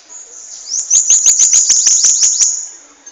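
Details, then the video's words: Bananaquit, a caged bird from Natal, Brazil, delivering its long song: a burst of high, sharp, rapidly repeated buzzy notes, about three a second, swelling and fading over two seconds. "sibite gaviãozinho batendo longa"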